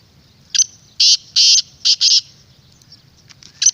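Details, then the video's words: Black francolin calling, a recording meant to excite a kept francolin or draw wild ones: a brief note, then four loud harsh grating bursts in quick succession, and faint clicks after a pause. "پوری ویڈیو کی آواز اپنے تیتر کو سناؤ انشاءاللہ جنگلی بھی بولنے پر مجبور ہو جائے گا"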